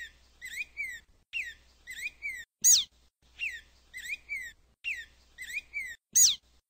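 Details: Black-throated grosbeak song: short phrases of clear whistled notes, some rising and some falling, repeated about every 1.7 seconds, each cycle closing with a loud, sharp, steeply descending note; quiet background.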